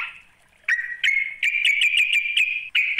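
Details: Trucuk, or sooty-headed bulbul, calling a rival with clipped, buzzy notes that quicken into a rapid stuttering string, then a final short rasp.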